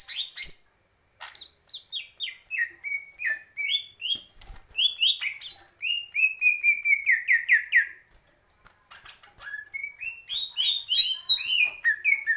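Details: Greater green leafbird singing a varied run of loud whistled notes, many sliding down or up, some quick chattering phrases mixed in, with short pauses near one and eight seconds.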